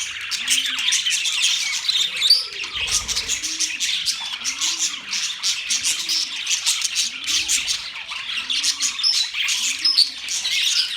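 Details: Budgerigars chattering together: a dense, continuous wash of high scratchy chirps and warbles with quick twitters, while a lower soft arched coo-like note repeats roughly every second underneath.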